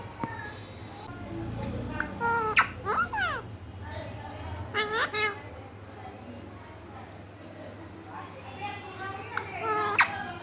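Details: A talking green Indian ringneck parakeet in a high, raspy, speech-like voice gives short phrases such as "I love you" and "kiss" in three or four bursts, with sharp squeaky notes between them, over a low room hum.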